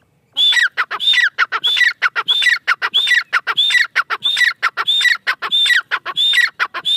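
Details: Female francolin calling in a steady loud rhythm, each phrase a high whistled note followed by falling harsh clicks, repeated about every two thirds of a second without pause.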